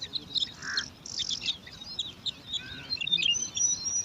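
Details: Five bar-winged prinia chicks begging for food in a nest among alang-alang grass: thin high squeaks and twittering chirps, with a low buzzy note early on and scattered sharp peeps throughout.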